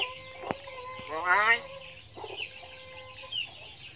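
A hill myna gives one brief, voice-like harmonic phrase that rises then falls, mimicking human speech. Two sharp clicks come before it, and a steady tonal hum runs underneath.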